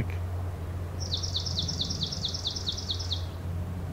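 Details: Swamp Sparrow in Beverly Swamp, Flamborough, Ontario, on the 2024 summer solstice, among breeding birds; the bird either moved or two are singing. Slow, musical trill of a dozen sweet repeated chirps over about two seconds, against a steady low rumble.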